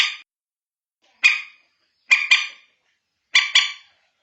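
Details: Common moorhen (bantiung) calling, as played at night to draw the birds in. Short nasal croaks come singly and then in doubled pairs, roughly once a second.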